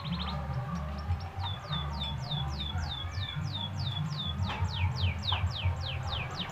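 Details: Canary song played to stimulate other canaries to sing: a quick series of descending whistled sweeps, roughly three per second, over loud, low background music.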